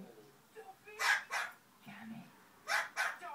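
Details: A pet Amazon ringneck parrot imitates a dog's bark: two pairs of short, harsh, husky woofs about a quarter second apart, with a faint low murmur in between.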